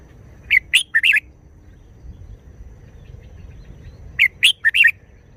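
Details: Short wild-style song of a red-whiskered bulbul: a crisp phrase of four rapid whistled notes, wavering up and down, repeated once after a pause of about three seconds over a faint low rumble.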